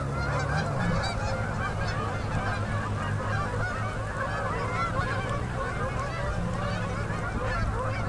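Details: Masses of migrating Canada geese landing on a river in Manitoba, Canada, at sunset, October 2018; constant overlapping honking from many birds, with a deep steady rumble in the background throughout.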